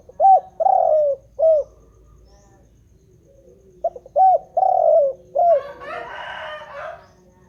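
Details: Spotted dove in unbroken song. Two cooing phrases, each with short lead notes, an arched coo, a long sliding coo and a final rounded note. A brief rustling noise follows the second phrase.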